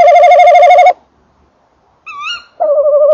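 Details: Tawny owls at a nest box at 19:48 on 28 December 2013: male in and at the box, female calling farther off; low quavering hoot, short rising-and-falling note, another wavering hoot; nothing else heard.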